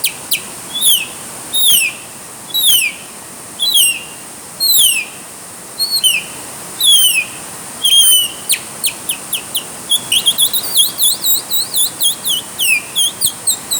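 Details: Bird singing while caught in the rain, repeating a rising then falling whistled phrase about once a second, then switching to fast high warbled chips, with constant rain hiss.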